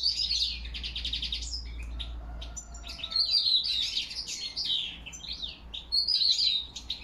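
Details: European goldfinch giving autumn song, October 2021, with crested lark whistles present: an opening rattle of fast repeated notes, then liquid twittering phrases and a faint lower whistle in the middle, over low background rumble.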